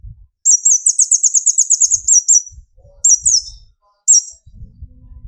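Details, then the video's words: Sunbird (kolibri ninja), a young speckled to full metallic bird, singing to provoke other birds into singing: a fast run of very high, sharp, repeated chirping notes, then two short high bursts, with soft low thumps between. "burung konin gacor pancing tembakan konin"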